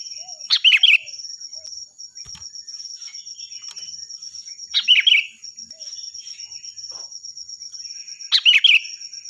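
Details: Loud sooty-headed bulbul song intended for training other songbirds: three bubbly whistled phrases roughly four seconds apart over a continuous fast buzzing insect trill.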